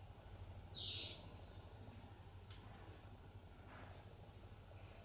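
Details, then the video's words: Oriental magpie-robin singing: a single clear, high whistled phrase that slurs upward, then silence over a low, steady background hum. "Oriental magpie-robin is singing"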